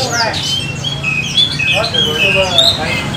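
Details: A kept oriental magpie-robin (kacer) sings softly in the nagen manner: a few clear whistled notes, some rising and some falling, spaced through three seconds, over low background hum and faint noise.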